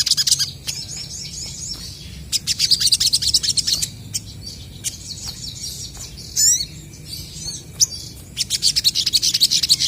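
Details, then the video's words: Several crested jays answering each other with bouts of fast, high, rattling chatter separated by quieter gaps; one brief downward-sweeping whistle stands out midway, and sharp clicks punctuate the series. "SOGON GACOR BERSAHUTAN,BURUNG BAHAN DIJAMIN CEPAT RESPON BUNYI!!!"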